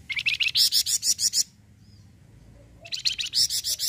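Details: Full song of a Flamboyan bird, played to coax other birds into singing: two rapid runs of sharp, bright chirps repeated about three times a second, separated by a pause of over a second.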